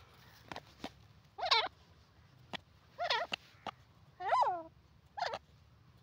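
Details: Grey francolin (teetar) calling: four loud, harsh, wavering notes rich in overtones, roughly one every second or so, with sharp clicks between them and a low steady hum underneath.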